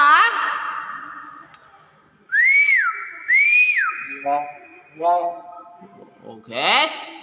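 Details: A Nias hill myna whistles twice, each time with a clear note that rises, arches and drops, followed by short clipped sounds and a final rising burst.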